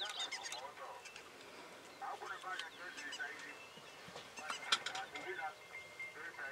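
African grey hornbill giving nasal, reedy calls in short bursts of several quick notes, spaced a second or two apart, over a faint hiss.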